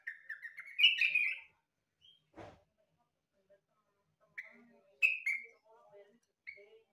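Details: Yellow-vented bulbul, described as sounding like a green leafbird, gives short whistled phrases near one pitch with a louder slurred burst, pauses, then further brief whistles and a low rattle between.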